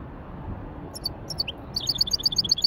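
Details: Hybrid finch warming up in widani style: a few scattered high chirps, then a quick, evenly repeated run of bright twittering notes to the end, over soft background hiss.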